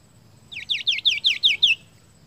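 Seniper song: a quick run of seven sweet, downslurred whistled notes, about eight per second, high-pitched and clear over faint background hiss.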